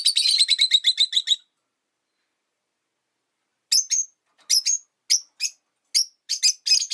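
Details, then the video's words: Caged rosy-faced lovebirds, five birds kept beside a window, calling regardless of winter: a dense rattle of shrill chirps, a silent gap, then spaced single piercing chirps growing quicker. "冬とか関係なく良く鳴く子【Lovebird Chirping Sounds"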